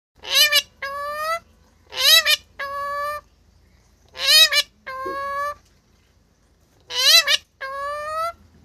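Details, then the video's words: Alexandrine parakeet (pahadi tota) mimicking speech: four repeated two-part phrases, a harsh rasping syllable followed by a clearer, steady, voice-like tone, repeated every two to three seconds with brief pauses. "Ye Mitthu Bolane Wala Tota Dikhao"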